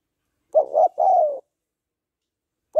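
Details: A single phrase from a female spotted dove calling to stir a male: two clipped coos then a longer sliding coo, the start of another phrase at the end.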